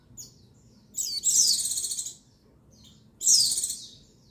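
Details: Female white-eye call used to excite males into singing, recorded 22/6/21: a high buzzy trill with a rapid pulsing quality, a short sharp chirp before it, and a second trill after a pause.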